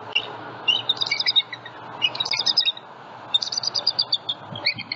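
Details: Bald eagles at a Southwest Florida nest holding eggs, live nest camera, morning of 27 February 2020, juvenile flying over; rapid bursts of high, chittering piping notes in three runs, with constant background hiss.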